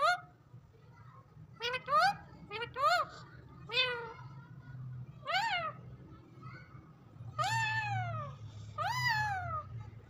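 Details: Pet parrot whistling and talking indoors; a series of rising-then-falling, strongly harmonic whistled calls, some in quick pairs and some drawn out, over a steady low hum.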